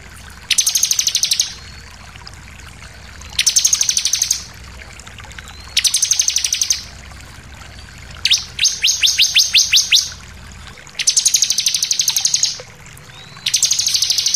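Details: Sunda pied fantail, locally ciblek, singing a persistent shooting song with variations for tutoring captive birds: high buzzy chattering bursts repeated every two to three seconds, one burst replaced by a quick series of falling whistled strokes.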